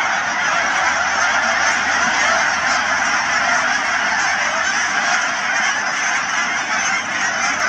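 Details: At Cheam Wetlands near Chilliwack, British Columbia, thousands of Canada geese call at once. Loud, continuous overlapping honking forms a thick wall of sound throughout.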